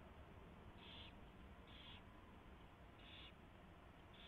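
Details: Owls at their nest at 4:21 AM, 24 February 2016, as a mouse is brought in and fed; three or four short rasping hisses at uneven intervals over a continuous low rumble.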